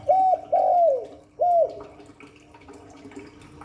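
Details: Spotted dove cooing in the Hạp Bổi voice style: three short, soft hooting notes in quick succession, the middle one longest and slightly falling, followed by quiet with a faint steady hum and light background chirps.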